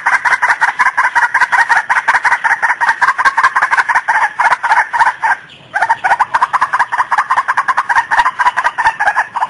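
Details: White-breasted waterhen lure recording: dense, fast run of harsh, clucking notes repeated almost without pause, with one brief gap midway before the chatter resumes.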